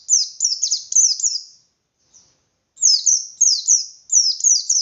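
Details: Persistent ngalas-style white-eye song aimed at stirring other white-eyes to reply and compete: high, sharp downward-sweeping chirps in rapid clusters, broken by a clear pause of over a second.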